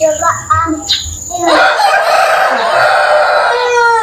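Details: Yard rooster: short clucking notes at first, then a long, sustained, rich crow held for about two seconds before fading.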